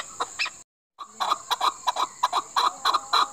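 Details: Chukar, Pakistan's national bird: two clucks, a brief dropout, then a fast train of rough, clipped chuck notes close together, over a steady high whine.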